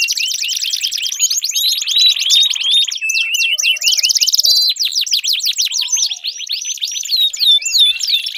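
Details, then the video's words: Canary singing meant to make a silent canary sing, fast rattling trills alternating with clear whistled sweeps and brief pauses between phrases. "Pancingan Ampuh Kenari Gacor Panjang, 4 Suara Burung Kenari Ampuh Untuk Pancingan Kenari Macet Bunyi"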